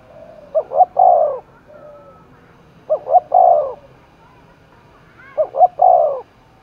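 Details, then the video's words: Spotted dove cooing, stirred up to compete, Dong Nai, Vietnam; a phrase of two quick notes and a drawn-out falling coo comes three times, with a faint softer coo between. "cu gáy thúc đấu vang cả núi rừng đồng nai, cu gay kich boi nhanh noi gù"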